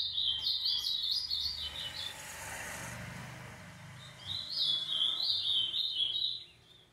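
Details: Doubled 'tio João' song of a green-winged saltator: two bursts of rapid, wavering warbled notes, with a steady broad hiss and low rumble, like passing traffic, between them.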